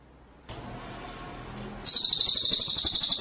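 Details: Cililin bird in full song, recorded as a tutor recording for training birds: a steady hiss, then a very high, fast pulsing trill starts abruptly and runs to the end.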